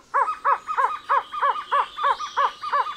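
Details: Trogon giving a regular chain of hollow repeated notes roughly three per second, a second caller slotting softer notes between them, with a steady insect buzz in the forest background.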